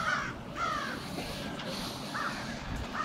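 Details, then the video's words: Crows gathering on Washington Street, Brattleboro, Vermont, 16 February 2021: four distinct hoarse caws, two close together at the start and two more after a pause, against a soft background hiss. "Crows staging on Washington St"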